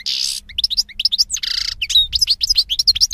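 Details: European goldfinch song: harsh nasal buzzes alternating with quick bright tinkling chirps and twitters, over faint low rumble.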